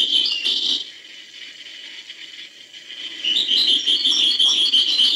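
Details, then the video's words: European goldfinch, hbal song: a short twittering burst, a quiet pause, then a longer stretch of rapid high tinkling notes and trills. "chant chardonneret hbal"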